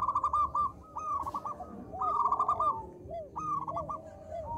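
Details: Local zebra dove singing lively, small voice, used as a lure to set others calling: short bursts of fast ringing coos alternating with lower soft sliding coo notes from other doves.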